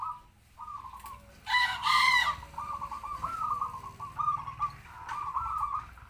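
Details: Local zebra dove used as a trapping decoy, with a medium kwor kwor voice, gives rolling trilled coo phrases, interrupted partway by a loud rooster crow.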